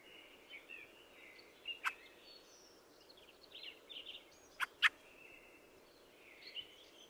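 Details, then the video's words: Fieldfare (Turdus pilaris) with a faint, scratchy, chattering warble running throughout, broken by a single harsh clack and later a tight double clack. "The song of the Fieldfare"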